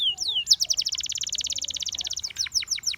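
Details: Gloster canary delivering a falling whistle and an upslurred note, then a long, fast rattling trill lasting about a second and a half, finishing with separate sharply downslurred chips.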